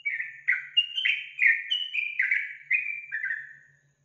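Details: Yellow-vented bulbul song played to prompt a kept bird to sing: a loud series of clear whistled phrases, each dropping slightly in pitch, about eight notes over four seconds with short gaps, otherwise quiet.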